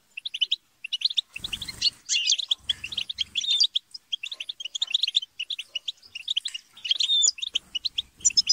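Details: Chattering, squabbling European goldfinches: dense runs of bright, high twittering notes overlapping, with a few louder harsh bursts and brief low rustling sounds.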